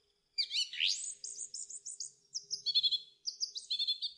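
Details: Song thrush singing a long, varied run of high whistled and twittering phrases, some notes repeated in rapid groups, pitch sweeping up then holding high.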